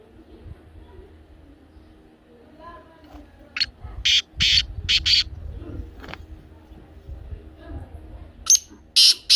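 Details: Black francolin, locally kala teetar, giving its call to spur a pet francolin: a rasping series of about five notes, then after a pause two more harsh, buzzy notes close to the end.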